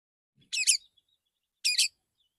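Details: Male white-rumped shama in the morning, singing relaxed to call other shamas: two short, high, tinkling bursts of chirps about a second apart, otherwise silent.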